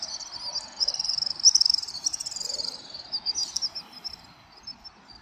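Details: Dusk flock of house swifts over central Tokyo, mid-December 2023; a loud, shrill rippling trill swells in the first half and then fades to scattered twitters, with quiet city rumble underneath.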